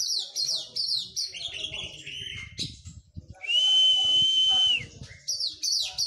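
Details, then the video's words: White-rumped shama in post-moult training, singing repeated descending high phrases, then a long level loud whistle, and further rapid high notes; faint low knocks and rustles in the background. "KACER PRO HYPER LATIHAN FISIK PASKA MABUNG"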